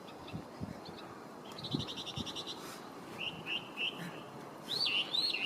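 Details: Wild introduced Chinese hwamei, a resident bird, recorded 23 November 2025. A quick buzzy series of short notes comes first, then spaced clear whistles, and finally a louder burst of looping whistled phrases. Faint low thumps sit beneath.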